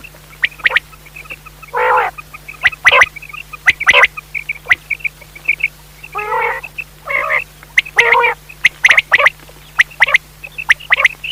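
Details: Pakistani quail heard for night-time hunting: rapid short high notes and snapping clicks at roughly one per second, interrupted by a few brief rough buzzy phrases, steady low hum throughout.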